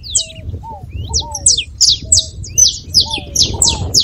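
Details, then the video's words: Saffron finch singing a fast series of sharp, high downslurred chirps, about three per second, with softer low whistled slurs beneath and a faint background murmur. "canário da terra com belo canto"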